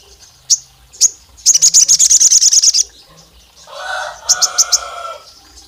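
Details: Olive-backed tailorbird, said to be a female calling the male and provoking rival males: scattered sharp high chips, then a fast even trill of about twelve piercing notes, then a hoarse lower sound with a few more high chips.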